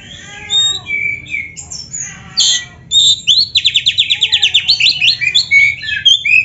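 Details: Oriental magpie-robin (kacer) singing a luxuriant isian-filled song used for training birds; varied whistles and a harsh note lead into a rapid, rattling run of repeated descending chips, then more whistles.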